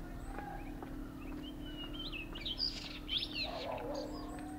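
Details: Grey-hooded warbler in Uttarakhand: a short burst of high, quick twittering notes with sharp rising and falling slurs, climbing in pitch in the second half, over a steady low mechanical hum and background noise.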